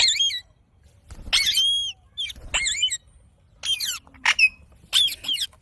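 A ring-necked parakeet gives five harsh, squawky, high-pitched bursts about a second apart. Each burst has a ringing, chattering edge, with quiet gaps between.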